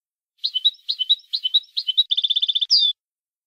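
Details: Syrian goldfinch song phrase in style 31: repeated two-note chirps at a steady pace, then a rapid tinkling trill and a final sliding buzzy note.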